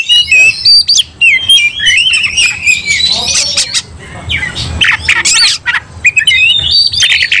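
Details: Oriental magpie-robin in fighting mode, stirred into aggression and setting other magpie-robins off. Loud, dense song of high whistled slurs and rapid harsh chattering notes, with overlapping voices and sharp squawky bursts throughout.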